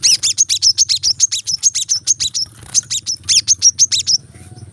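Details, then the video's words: Tight 'tembakan rapat' song of a brown-throated sunbird, a training recording for caged birds: rapid, steady chains of piercing high chips with a brief break in the middle before the run resumes. "kolibri kelapa | manggar | wiceh | masteran temabakan rapat bikin cepat gacor dan buka paruh"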